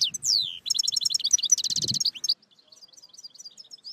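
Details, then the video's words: European goldfinch song from a tutoring recording for goldfinches: a loud burst of quick chattering notes and a harsh buzzy trill lasting about two seconds, followed by softer, spaced twittering notes, with a brief low thump midway. "Chant De Chardonneret Goldfinch Song تعليم الحسون"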